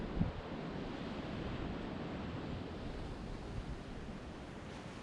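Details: Low roaring surf and wind rumble continue throughout, with a faint knock near the start and no animal voices.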